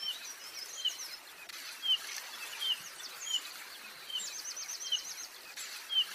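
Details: Yellow-rumped flycatcher (Ficedula zanthopygia) at Bogor gives short, thin, high chip calls about once a second over a steady background hiss.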